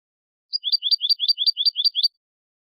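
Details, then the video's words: European goldfinch, clean contest-training song in the Malaga mixed copy style. Eight identical high, sharp twittering notes repeat evenly, several per second, in a quick rhythmic trill against silence. "CD COPIA JILGUERO CANTE LIMPIO PARA CONCURSO"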